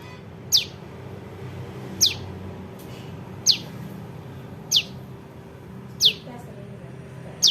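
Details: ['Calls of a juvenile prinia, used as a trapping lure: six crisp, high descending chips at fairly even intervals of just over a second, against a quiet low drone.']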